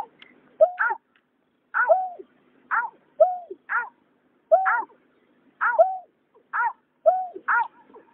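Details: Greater painted-snipe pair, male and female, from 2021 night bird-trapping sounds: steady series of two-part calls, a rich higher note dropping into a lower curved hoot, each pair spaced roughly a second apart, no other sounds.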